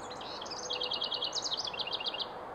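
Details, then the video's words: House wren singing a bubbly, rapid string of high chirping notes that jump up and down in pitch, with a brief rising flourish midway. A constant rushing background noise is heard throughout. "Chant du troglodyte familier/Song of the House Wren"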